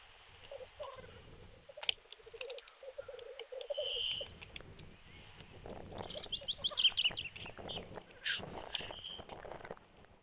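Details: Black grouse at a May 2021 lek at Kuusamo, fighting in winter snow. Low bubbling cooing opens, then comes a drawn whistle, busier chattering and two sharp hissing bursts late on.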